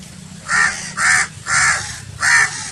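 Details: A crow gives four loud, hoarse caws in a regular series, about one every half second, each a harsh rasping bark. There is little other sound.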